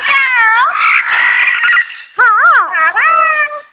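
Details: Talking double yellow-headed amazon, a happy female pet, makes loud drawn-out wavering cries that bend up and down like a cat's meow, in two bursts with a short pause, indoors.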